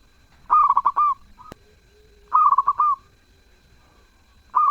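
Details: Zebra dove singing melodiously in repeated phrases about every two seconds, each a quick stammering series of coos ending on a longer drawn note, with a sharp click heard once.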